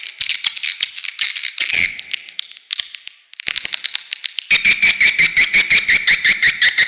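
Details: Call used as a lure to bring swiftlets to a bird house: chattering twitters and fast clicking runs, ending in an even series of loud repeated chirps, nearly three per second.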